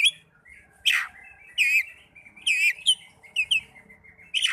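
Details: Kacer (Oriental magpie-robin) song for encouraging young or silent birds: a sharp downslurred note, then repeated warbling whistle phrases roughly once a second, rich and wavering, over a quiet background.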